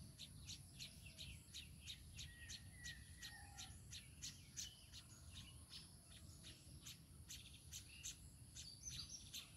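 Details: Baya weaver and its young giving dense trains of bright, high chirps, roughly three a second and unevenly spaced, with occasional soft lower whistled notes, a continuous high insect buzz and low rumble.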